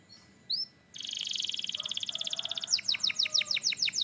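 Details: Canary from Türkiye giving two brief rising chirps, then a long, fast, buzzy trill that turns into loud, repeated, sweeping notes.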